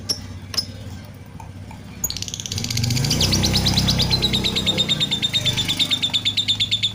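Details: Lovebird breaking into a rapid, even chattering trill of high squeaky notes about three per second after a few scattered chirps, over background hum.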